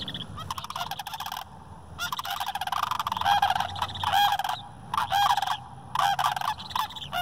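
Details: Several adult and juvenile Sandhill Cranes gathering and jumping around in a park give loud, rolling, trumpeting rattles in overlapping bursts, calling together with brief pauses between outbursts.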